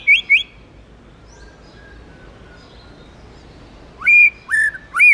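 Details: Tame white-rumped shama singing "forest voice" phrases: two quick twirled notes, a long near-silent stretch, then three loud rising whistles, each ending with a flat held tone.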